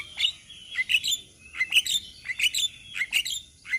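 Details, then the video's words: Indonesian Javan myna flock chorus, 'ombyokan' tutor material: bright squeaky whistles and chirps in clusters roughly every half second, each burst mixing clear tones with brief harsh edges. "Masteran Jalak Kebo Bahan - Jalak Kebo Ombyokan - Kicauan Burung Jalak Kebo Indonesia"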